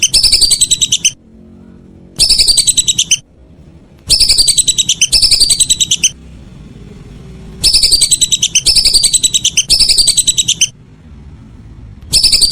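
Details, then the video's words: Evening calls of whistling ducks, repeated one-second bursts of quick, high whistled notes separated by short silences, sometimes paired back-to-back, over a faint low background. "Suara burung belibis sore hari"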